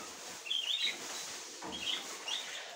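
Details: Budgerigar hen inspecting the nest for the first time; two short clusters of high, scratchy chirps about a second and a half apart over a steady background hiss.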